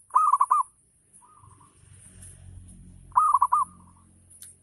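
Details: Zebra dove (local) singing full ngayer, meant as a lure to get others answering: rapid cooing bursts with a separate soft drawn note between them, over a faint low rumble.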